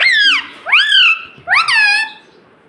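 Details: Household parrot that talks, saying "mummy". Three loud, clear, voice-like phrases each slide up and then level off into a sustained ringing tone.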